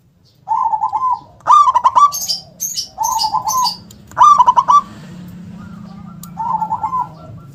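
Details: Local zebra dove, a strong singer with a big voice and a punchy KUNG ending: repeated bursts of staccato cooing notes alternate with softer rolling coos, while a higher chirping bird calls between the phrases.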